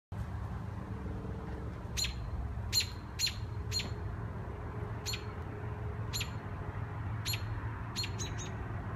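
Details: Nestling birds chirping in pine trees in Minnesota: short, sharp high chirps in loose bursts of one to three, spaced irregularly, over a steady low rumble.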